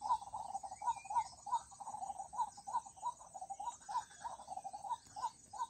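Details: White-breasted waterhen calling in a long, rapid series of short, hollow repeated notes, about three per second, with fainter background bird notes and a high steady hiss.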